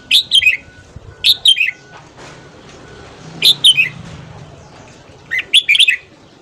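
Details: Red-whiskered bulbul singing a morning song, played for voice training to stimulate other bulbuls to sing: four short bright phrases of three or four quick whistled notes sliding downward, separated by pauses of one to two seconds.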